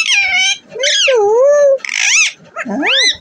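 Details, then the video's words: Desi parrot, a native Indian pet that talks, makes a rapid run of nasal, wavering, speech-like sounds that bend up and down in pitch, with brief pauses between phrases. "देशी तोता🌻बोलने वाला | Deshi Tota Bolane Wala | Deshi Parrot Talking"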